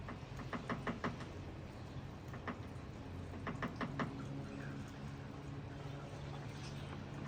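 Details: Black-capped Chickadee pecking for hours at balcony eaves, probably excavating a nest cavity, perhaps a male trying to impress a female: sharp, dry taps in uneven quick bursts, about a dozen in four seconds, easily taken for a woodpecker, over a low hum.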